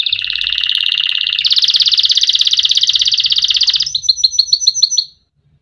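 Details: Canary song for tutoring young birds: long fast rattling rolls rising slightly in pitch, ending with about eight separate clipped high notes before silence.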